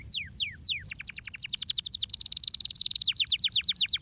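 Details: Canary singing to stimulate other birds to sing: three falling whistles, then a long, very rapid rolling trill of sharp notes that slows slightly toward the end.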